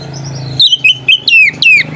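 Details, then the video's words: White-rumped shama song aimed at provoking rival birds and arousing mating: after a soft low hum, a burst of loud, quick descending whistles and chirps repeated several times. "PANCINGAN SUARA KACER PEMBANGKIT BIRAHI DAN EMOSI LAWAN"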